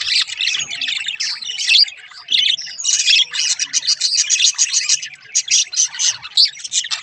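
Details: A chorus of singing budgies, a rare halfsider among them, runs steady rapid chirping and chattering, rising in loudness after a short lull near the midpoint.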